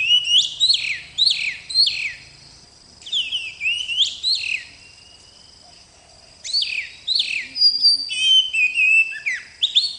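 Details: Oriental magpie-robin, a young bird in training, singing in lively bursts: rapid runs of clear whistled notes that swoop up and down, broken by a pause of a few seconds, over quiet background.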